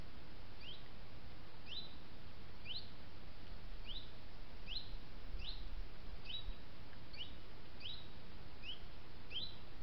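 Eurasian sparrowhawk giving thin, high, down-slurred notes about once a second, over a steady low rumble of wind or distant traffic.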